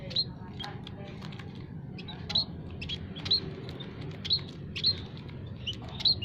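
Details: Munias kept in an aviary give lure calls used for bird trapping. Thin, piercing chirps come singly or in pairs roughly every half second to second, with a soft low rumble underneath.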